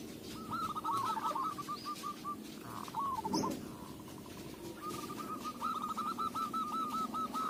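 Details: Local zebra dove, recorded as lure material. It gives soft, fast trilling coo phrases that break off and then resume, set against a steady broadband background hiss and rumble.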